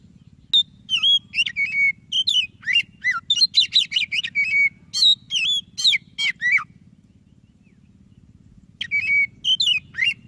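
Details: A white-rumped shama, called kacer dada putih, pours out rapid varied whistles and chattering trills for about six seconds, pauses, then resumes; a low hum runs throughout. Played to encourage a silent shama to sing.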